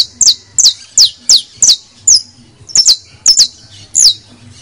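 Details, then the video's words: Pet criollo canary repeating loud, falling whistled notes, about two per second in steady pulses, over a faint low hum. "AUDIO para ALEGRAR a nuestro CANARIOS CRIOLLO, bastos, finos, criollos"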